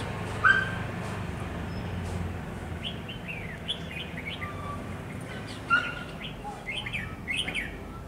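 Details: Decoy red-whiskered bulbul singing during a trapping test on 10 November 2020: a run of quick, bubbly, slurred phrases in the second half, with two sharp, higher whistled notes earlier and a low rumble underneath.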